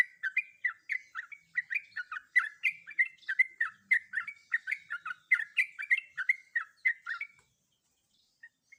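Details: Sooty-headed bulbul female in breeding condition calling to a male, a rolling run of quick, clipped chirps, some upslurred and some falling, steady for seven seconds before stopping into near silence.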